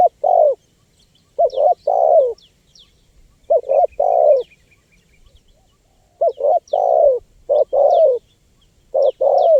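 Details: Spotted dove sound meant to attract wild birds: repeated phrases of a clipped opening coo followed by two fuller, slightly falling coos, returning every few seconds, while other small birds chirp faintly in the background.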